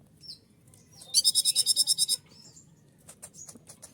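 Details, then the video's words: A konin in breeding condition, excited by a female, gives a rapid, regular high-pitched trill of about ten sharp ticking notes lasting one second. Faint, thin, high chirps come before it, and softer clicks follow against a quiet low murmur. "Konin gacor naik birahi melihat konin betina mancing-mancing"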